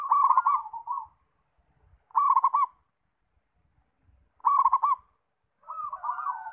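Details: Zebra dove singing steadily, repeating a soft bubbling cooing phrase of rolling notes about every two seconds, with faint low thumps in between.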